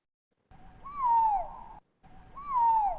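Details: Type 1 Evening grosbeak (Coccothraustes vespertinus) flight calls, as heard in the Sierra Nevada, slowed down: two clear slurred notes, each rising briefly then falling away, about a second and a half apart.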